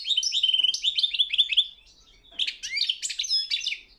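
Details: Goldfinch song contest at world championship level: a European goldfinch gives a run of repeated chirping twitters, pauses briefly, then follows with sharper slurred notes and trills.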